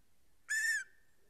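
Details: Greater spotted eagle pair at a snowy nest in Estonia, recorded by a live nest camera on 14 April 2020; a single loud, clear yelping note, steady and slightly arched in pitch, about a third of a second long, rich in harmonics, otherwise quiet.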